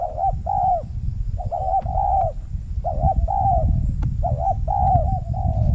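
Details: Spotted dove, wild, reacting to a trapping lure on peat ground in Riau Islands, Indonesia; rolling coo phrases repeated in groups, partly covered by strong low rumbling wind or handling noise.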